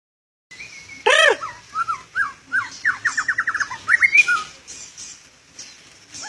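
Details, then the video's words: International champion Oriental magpie-robin (kacer) singing a full isian repertoire: a loud harsh burst, then a string of short whistled slurs and quick rising notes, ending in a rapid run of clipped whistles. "Full Isian Juara Internasional Burung KACER Gacor"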